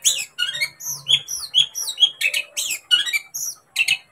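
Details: Long-tailed shrike song meant to agitate a caged shrike into singing, a rapid medley of sharp downslurred whistles, squeaky mimicked notes and harsh rasping bursts.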